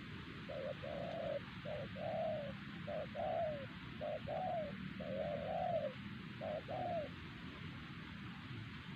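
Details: Wild spotted dove targeted with a decoy at Siosar, said to call so well that the trained lure bird fell silent. Clear rhythmic coos, short notes paired with longer warbled, falling ones, with a low steady background hum.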